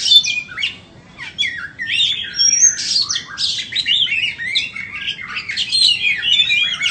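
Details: A white-rumped shama for sale delivers a fast, continuous medley of high whistles, buzzy trills and clipped chirps, each phrase quickly followed by the next.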